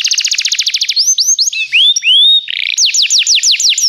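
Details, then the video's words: Belgian canary song for training: quick even trill, then slow rising whistled sweeps, a short buzzy rattle, and a run of descending looped whistles. "o melhor som canário !! treinamento canário belga cantando"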